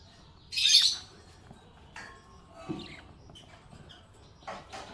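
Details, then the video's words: Happy pet budgerigar giving a harsh, high chirp near the start, then a few softer scratchy chirps spaced over several seconds, with quiet gaps between. "Happy budgie chirping sound"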